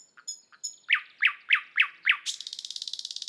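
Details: A thrush nightingale in Estonia opens with a few thin high whistles, then five loud slurred notes about three per second, and ends in a fast, dry, buzzy rattle.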